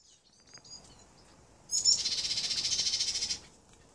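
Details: A whole family of Yellow-cheeked tits (Machlolophus spilonotus rex) together: a few thin, high notes, then a harsh, buzzy chatter of rapid pulses lasting nearly two seconds, over faint background hiss.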